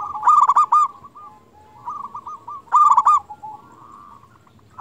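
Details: Vocal local zebra dove used to coax others of its kind into responding; two loud quick-fire rolling coo phrases about two and a half seconds apart, each tailing into softer repeated notes over light background hiss.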